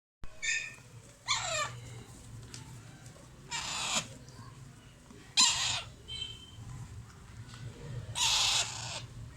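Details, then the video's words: Captive Alexandrine parakeet chicks being fed, giving harsh, raspy, hissing bursts about every two seconds, four loud outbursts with quieter rasping between, over a low indoor hum. "FEEDING MY ALEXANDRINE PARROT CHICKS"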